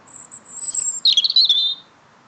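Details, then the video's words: Small songbird greeting someone home after work: a thin, very high sustained whistle gives way to a busy, buzzy warbling phrase of rapid notes that fades out near the end. "Bird singing"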